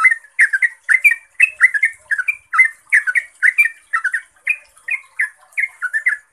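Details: Yellow-vented bulbul, a lure recording meant to make other bulbuls answer, pouring out rapid, bubbly, warbling phrases of liquid notes that tumble up and down without pause, with a thin high hiss in the background.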